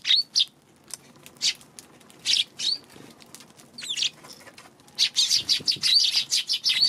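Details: Eurasian tree sparrows on 2 March giving scattered sharp chirps at first, then a dense, excited run of rapid overlapping chirping over the final two seconds, with faint rustles between the calls.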